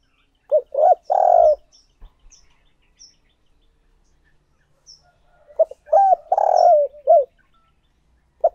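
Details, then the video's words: Spotted dove kept as a decoy, calling to draw in wild doves. Two loud coo phrases about five seconds apart, each of clipped notes and a long, burry, downslurred coo, with faint chirps between. "Chim Cu Mồi Thúc Gù Gáy Gọi/ Tiếng Chim Cu Gáy Kích Bổi"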